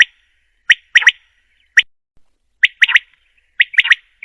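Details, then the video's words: Female common quail calling for quail hunting. Sharp, clipped chirps sound singly or in quick doubles and triplets at irregular intervals, against a quiet background. "Quail sound || Batiar Ki Awaz || Female Quail Sound || بٹیر کی اواز || مادی بٹیر کی اواز"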